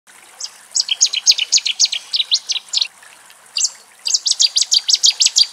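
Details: Cetti's warbler singing in Axios Delta National Park near Thessaloniki, Greece, recorded in the wild: two loud, explosive bursts of sharp, high chipping notes, about two per second, separated by a short pause, over faint background hiss.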